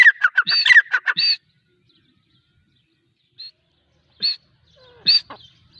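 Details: Female grey francolin calling: a rapid burst of harsh, squawky notes lasting just over a second, then silence broken by a few short, isolated notes. Background is otherwise quiet.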